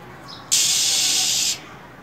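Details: A single loud, noisy hiss about one second long from a female than songbird, preceded by a faint short chirp, given in cold winter to stir a male.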